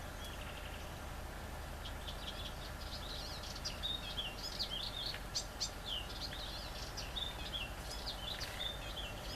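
Great reed warbler giving a loud, chattering song of short harsh and squeaky notes repeated in quick bursts, over a steady low rumble of wind or distant traffic.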